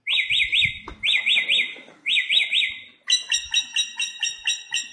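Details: Samyong (bare-throated whistler) singing in the wild: three groups of three swooping whistled notes, then a switch to a quick string of sharper, ringing, evenly spaced notes.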